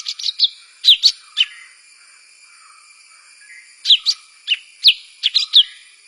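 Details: A bird giving bursts of sharp, high chirps in two clusters, each a quick run of descending notes, over a steady high-pitched hum.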